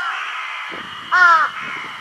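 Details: Large-billed crow carrying food in its bill to a spot where nothing disturbs it, Shiki no Mori Park, 6 June 2022; a single harsh, nasal caw lasting about a third of a second, richly layered, over a steady hissing background.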